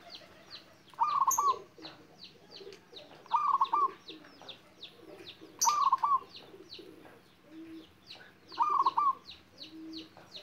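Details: Local zebra dove, a young bird of wild stock learning to sing, gayer style with tight, soft, melodious rhythm: four brief rolling, beaded coo phrases evenly spaced about every two and a half seconds, backed by persistent high repeated chirps.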